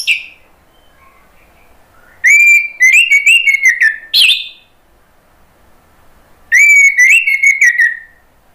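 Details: Orange-headed thrush song for triggering a response from kept birds: two separated strophes of strong whistles and quick twittering notes, each lasting about two seconds, with silence between.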